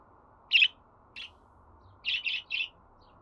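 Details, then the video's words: Pet budgerigar making a loud chirp, then a softer one, then three quick chirps in a row, over a quiet background. "Muhabbet Kuşu Sesi"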